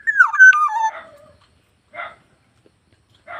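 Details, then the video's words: Black-naped oriole, kept bird, singing actively. A loud, fluty whistled phrase slides downward in steps and ends in a lower trailing note. Two short, harsh nasal bursts follow after a pause. "BURUNG PODANG GACOR"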